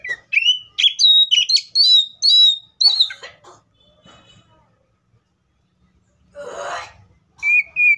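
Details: Wild Oriental magpie-robin pouring out a rapid series of loud whistled and warbled notes, then falling quiet; a short rustling noise follows before a single clear whistle closes.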